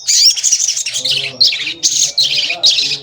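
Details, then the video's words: Javan kingfisher call used as a lure to make other birds sing and provoke them; harsh, high, rasping notes in short bursts, about six phrases in three seconds, with faint low murmuring beneath. "Pancingan Sogon Agar Bunyi dan Emosi"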